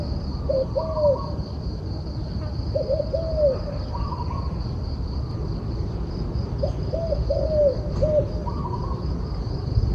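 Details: A turtle dove repeats its cooing phrase three times, each a run of short hollow coos ending in a longer, falling note. A constant high-pitched hum and low background rumble sit behind it.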